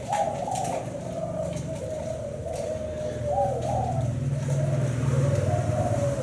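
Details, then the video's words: Thai black-spotted spotted dove cooing: a run of low, soft, wavering coo notes that rise and fall in a rolling phrase, repeating through the clip over a steady low background hum. "Cu gáy thái bông đen 7 sị"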